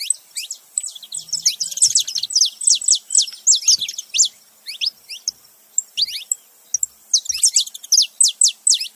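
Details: Male and female saffron finches together making noise: a nearly continuous chatter of loud, high, sharp chirps and falling notes, briefly thinning out before resuming strongly.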